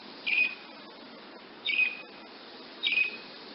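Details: Three short, high, sharp notes from a woodnymph hummingbird, each with a brief falling tail, spaced a little over a second apart against quiet background hiss.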